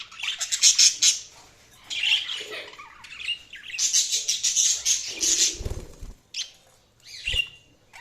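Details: Budgies chirp in loud bursts of pulsed, buzzy chatter and short warbles, with a few low thumps between phrases.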